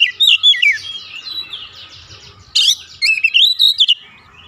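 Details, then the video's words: Oriental magpie-robin, agitated and provoked to sing: a sweeping whistled phrase, then a softer scratchy chatter, followed by a loud burst and a string of bright rising and falling whistles. "PANCINGAN cepat Kacer emosi bongkar isian"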